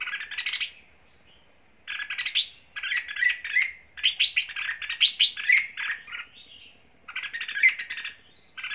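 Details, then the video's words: Red-whiskered bulbul from Lạng Sơn, a trapping and fighting lure bird, singing short bright phrases of warbled, chirpy notes separated by pauses of about a second, each phrase lively and varied. "Giọng thủ lĩnh."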